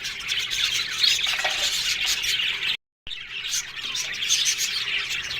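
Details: Aviary colony of budgies chattering together, overlapping shrill tweets and buzzy squawks from numerous birds, interrupted by a short silent break midway.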